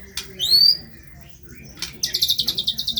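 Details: Energetic white-rumped shama song, rough training material: a loud upward-sweeping whistle, a pause, then a fast, very high trill of about a dozen evenly spaced pulses.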